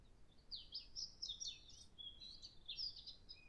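A European robin sings a high, liquid warble of quick tumbling notes, broken by a few thin, drawn-out whistles, over a faint low background hum.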